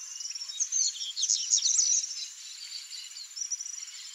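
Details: Pair of Double-collared seedeaters (Sporophila caerulescens), a seed-eating bird of open fields and grasslands: a quick burst of high, sharp twittering notes over about a second and a half, against a steady high insect-like hiss.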